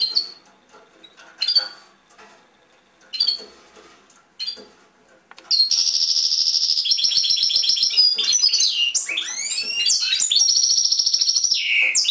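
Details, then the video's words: Caged European goldfinch singing: a few short chirps at first, then from about five seconds a dense, continuous high twittering with rapid trills and sweeping liquid notes. "European Goldfinch Singing in Cage"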